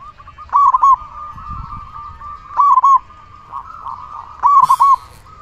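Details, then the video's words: Local zebra dove singing hard, recorded as a lure for other zebra doves; three loud, clipped, mellow coo phrases about two seconds apart over a soft continuous trill, with a brief hissing rustle during the last one. "Perkutut lokal gacor suara besar"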